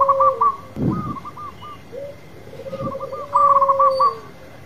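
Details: Champion local zebra dove in full song: bursts of rapid stuttering coos alternating with long level low coos that dip at the end, with a brief thud of handling noise between phrases.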